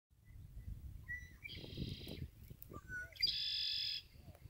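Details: Red-winged blackbird giving two songs: short clicking and whistled introductory notes, then a harsh, buzzy trill held for under a second, repeated about two seconds later. Low rumbling background noise throughout.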